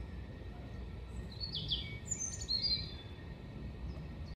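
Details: European robin singing at Hengelo on 5 May 2018: a brief, high, tinkling phrase of quick slurred notes near the middle, surrounded by soft low background noise.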